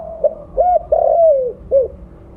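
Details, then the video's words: Mottled 'blorok' spotted dove with a big voice, lure call: a soft note, a rising coo, a long mellow coo sliding downward, then a final short coo. "Terukur blorok gacor suara besar cocok untuk pancingan bunyi."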